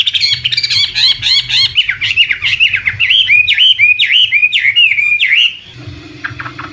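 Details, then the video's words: Chinese hwamei, an imported bird kept for song contests, sings rapid bright chirps that slide into a run of loud slurred whistled notes, each rising then dipping, before stopping abruptly; a faint low hum underneath. "Suara Burung Wambi (Chinese Hwamei)"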